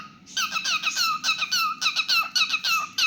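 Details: Pet cockatiel singing: after a soft start, a busy run of fast, downslurred chirps goes on without pause.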